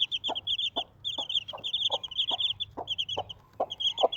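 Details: Desi mother hen with four chicks: a steady run of short, hollow clucks about every half second, overlaid by continuous shrill, high chick cheeps in quick bursts.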